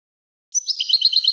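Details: European goldfinch song for teaching young goldfinches and hybrids: a short burst of quick, liquid twittering notes, high and bright, starting after a pause.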